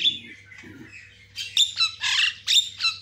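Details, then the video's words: White-rumped shama in fast lure and master-training sound with answering calls: a faint whistle, then loud harsh grating squawks and sharp notes in quick succession, over a low electrical hum. "YANG MACET LANGSUNG CEREWET, JALBO GACOR"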